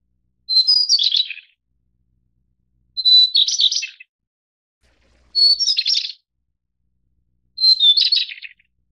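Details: High-mountain Taiwan White-browed Shortwing (goodfellowi subspecies) delivering four regular phrases roughly two and a half seconds apart. Each is a level high whistle that quickly dissolves into a dense, descending warbled chatter. No other sounds.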